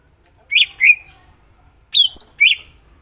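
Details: Greater green leafbird giving two clear whistled notes, then after a pause a trio of bright whistles, one swooping high.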